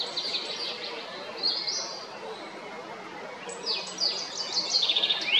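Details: Male common blackbird at Jarun, Zagreb, Croatia, on 22 April 2021 gives high, thin, squeaky, quick twittering phrases in two bursts about two seconds apart over a steady background hiss.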